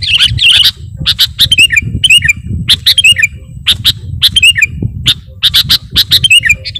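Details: Sooty-headed bulbul lure song, gacor and full of borrowed phrases: a busy stream of bright chips mixed with descending whistled slurs repeated throughout, over a constant low rumbling background.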